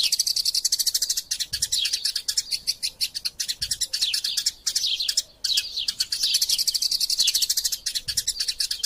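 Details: Eurasian tree sparrows in a fight, recorded as training material for magpie robins: busy, overlapping high chirps and falling tweets, briefly dropping out near the middle before resuming.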